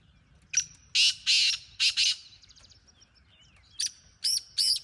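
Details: Black francolin calling: harsh, grating broadband bursts in two groups, a rapid run of five rasping notes followed by a shorter set of three, with faint thin whistles and twitters of other birds between them.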